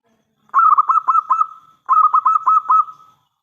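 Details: Two back-to-back phrases from a loud local zebra dove kept as a lure for other doves. Each phrase is a bubbling string of about five fast coos at one pitch, finishing in a smooth drawn-out note.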